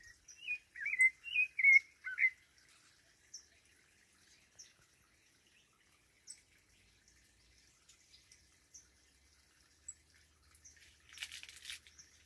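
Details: Thrush singing in a jackfruit tree, opening with a burst of five rich whistled phrases in two seconds, then scattered faint high chirps and a short hiss of noise near the end.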